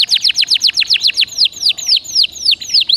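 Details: Song of a caged canary, used as a singing prompt: fast chirped downswept notes that slow into spaced, ringing descending whistles about three per second.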